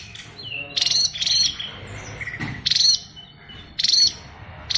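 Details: Oriental magpie-robin, SRDC Bali type, delivering an imitation-rich song ('isian luber'): loud rasping high bursts repeated about every second, separated by thin soft whistles and brief quiet gaps.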